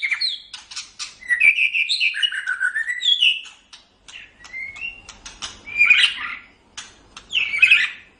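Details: White-rumped shama song meant for training other cage birds, made of clear whistled phrases rising and falling, interspersed with sharp clicks and ticking notes, with two rich burry bursts near the end.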